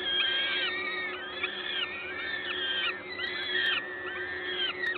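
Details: Peregrine falcons at a Gdańsk, Poland nest, 14 May 2022, late morning, as a parent brings food. Loud, repeated arching wails, roughly one every second, layered from more than one bird, over an industrial hum.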